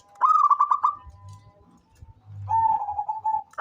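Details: Local zebra dove calling often: a quick stuttering run of about six cooing notes, then a long, even, slightly wavering coo after a pause, with soft low rumbling noise in between.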